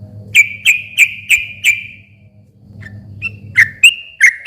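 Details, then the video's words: Sooty-headed bulbul song used as a lure for a silent bird: five evenly spaced clear whistles trailing off, a hum-filled gap, then several rising whistled notes. "kicau suara trucukan gacor ropel panjang ini ampuh buat pancingan trucuk macet agar nyaut bunyi lagi"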